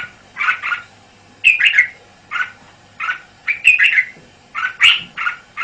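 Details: Red-whiskered bulbul, a caged male, in a busy exchange: soft paired chattering notes alternate with brighter, sharper warbled phrases, repeated roughly every second.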